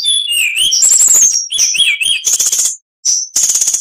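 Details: Oriental magpie-robin training song: high thin whistles and wavering lower warbles mixed with fast machine-gun-like rattles, a short silence, then another harsh trill.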